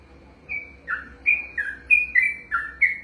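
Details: A kept yellow-vented bulbul sings its ropelan after a quiet moment: clear, slurred whistles, some dipping low and some rising, in a lively even sequence.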